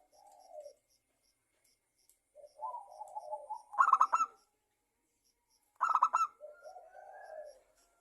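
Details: Zebra dove of the local type singing a lure song for other doves: mellow low warbled coos lead into two sharp, rapid rattling bursts of notes, then soft rolling coos in a quiet setting.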